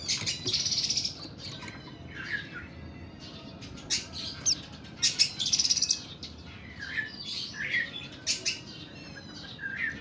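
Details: Oriental magpie-robin of kacer kuku bima type in long, harsh 'nembak' song, mixing scratchy bursts, high trilled notes and short mewing phrases, with lower mewing calls in the background.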